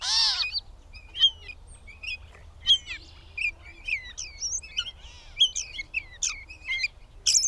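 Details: Catbird opening with a short nasal mew, then running into a jumbled sequence of high squeaks, chirps and twittering notes, loud bursts recurring roughly every second, in a quiet setting.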